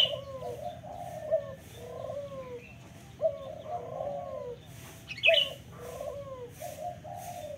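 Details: Local spotted dove giving repeated soft cooing phrases, each a quick accented note then a drawn-out low purring coo, with a few higher chirps from another bird and constant low background hum.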